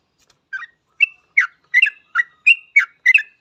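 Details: Lively Yellow-vented bulbul singing, the kind of recording played to prompt other bulbuls to start singing; a steady series of short, bubbly chirped notes, about three a second, rising and falling, on a quiet background.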